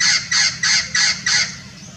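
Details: Blue-fronted x Red-crowned Amazon parrot hybrid at Irvine Regional Park, Irvine, California, on 9 January 2018 in winter: five loud, harsh, raspy squawks in quick succession, about three per second, fading to quiet.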